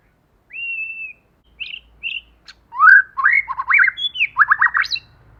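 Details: Lure female white-rumped shama gives a long steady whistle, then short chirps and clicks, followed by a quick run of warbled, downslurred whistled notes in a quiet setting.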